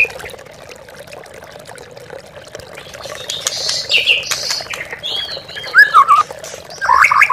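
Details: Oriental magpie-robin lure recording for training captive birds to sing. After three quiet seconds with trickling water, scattered bright whistles and chattery notes build and grow louder toward the end.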